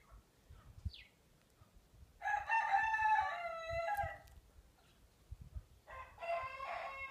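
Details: A frizzle Pekin (Cochin) bantam, kept with blue-mottled-white hens that recently resumed laying after a long moult, gives two hoarse, drawn-out crows, each about two seconds long, with a brief quiet gap between them.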